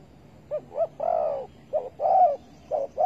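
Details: Bird trapping for spotted dove with bare bait, 15 August 2020; a close dove gives short hooting notes alternating with longer rich coos, fairly loud against a quiet background.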